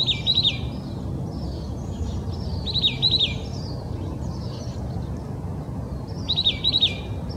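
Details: An oak titmouse in Old Torrance, Los Angeles County, California, January 21, 2020, sings three separate phrases, each a rapid run of sharp, high whistled notes, a few seconds apart. Faint twittering and a low steady hum fill the gaps.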